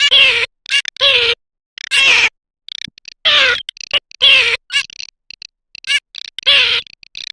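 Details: Garganey: repeated loud, harsh, nasal calls, each about half a second, with a falling tone. Quieter dry crackling rattles fill the gaps in an irregular, busy sequence.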